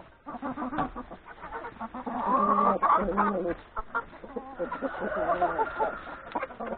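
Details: Chickens, hens and three roosters feeding at breakfast in the yard before going to the forest to graze; a dense chorus of overlapping clucks and short cackling notes, with a few longer drawn-out calls in the middle.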